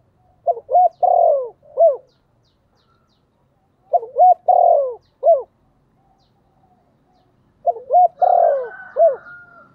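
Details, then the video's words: Cooing decoy spotted dove used to call in wild birds, giving three evenly spaced phrases about three and a half seconds apart. Each has short hooting notes, a drawn-out middle coo and a sharp end note, and a higher whistle overlaps the last phrase. "Tiếng chim cu gáy mồi gáy gọi giọng rất hạp bổi"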